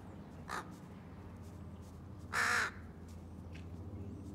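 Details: Around nesting time a female crow displays to a male in courtship: a faint caw, then one loud rasping caw, then a softer one trailing after, against low background rumble.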